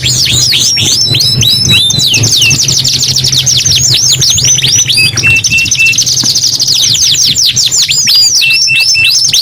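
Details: Singing canary delivering a long, continuous run of fast downward-sweeping whistles and trills, broken by a few flat, level held notes; a steady low hum sits underneath.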